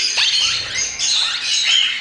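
Plum-headed Parakeet chicks give a harsh, raspy, frog-like churring in two long buzzy bursts broken by brief scratchy sweeps, with no other sounds.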